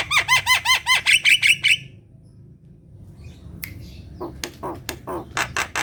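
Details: Kept black-winged myna singing, played to coax sluggish, quiet birds into song: a loud burst of rapid repeated looping whistles, a pause, then harsh broadband squawks and clicking notes.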